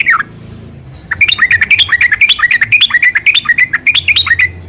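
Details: Yellow-vented bulbul singing a long, energetic 'ropel' song, played as a lure to prompt caged birds to reply: a continuous run of bubbly, quickly alternating rising and falling whistled notes after a brief opening note.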